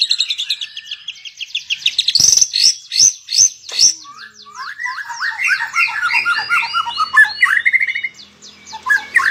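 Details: White-rumped shama (murai batu) in a melodious masteran song: fast, varied phrases of high whistles and slurred notes, a run of sharp clicks in the middle, then lower rolling warbled notes ending in rising whistles.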